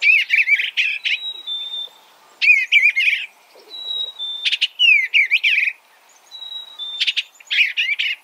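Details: Repeated warbled bursts from an Eastern bluebird, roughly every two seconds, each a tight jumble of slurred notes, with level whistles and a few low soft notes in the gaps.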